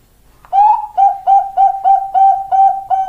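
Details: Zebra dove of the Bangkok type, female calling the male; a longer first coo followed by evenly spaced short notes on one steady pitch, about three per second, in a quiet setting.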